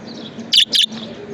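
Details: Pet budgerigar giving two loud, sharp, high chirps in quick succession over a low, steady background hum.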